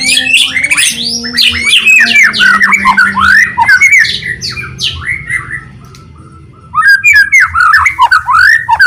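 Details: White-rumped shama lure song to prompt other shamas to sing: harsh squawky notes mixed with quick arching whistles in a dense burst, a short quiet gap, then renewed rapid whistled phrases.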